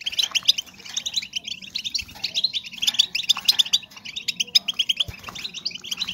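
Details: Calls of female European goldfinches meant to stimulate breeding in males: an unbroken stream of bright, tinkling chirps and short trills, several birds overlapping, with a couple of soft low knocks in the background.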